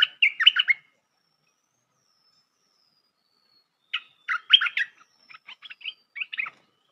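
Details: Trapping lure sound of a bulbul: a brisk, bubbly chattering phrase, a pause of about three seconds, then a longer burst of chattering that breaks into scattered short notes.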